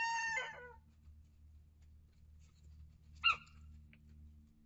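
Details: Flock of hens and young chicks inside a coop and run. The clip opens with a short, harsh, harmonic call, followed by quiet scuffling and one abrupt squawk over a constant low electrical hum.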